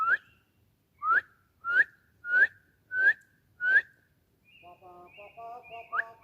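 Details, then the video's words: Bird singing in a forest: six clear, short whistled notes sweeping upward, repeated about every 0.6 seconds, followed by a softer buzzy, multi-toned chatter with thin high whistles and one final rising note. "Relaxing Birds Sounds at Forest"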